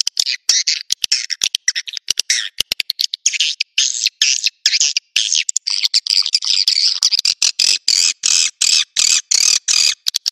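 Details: Naga Merah swiftlet call played to bring swiftlets to their nests: rapid dry clicks at first, then rows of raspy buzzy bursts repeated in quick succession, growing more regular toward the end.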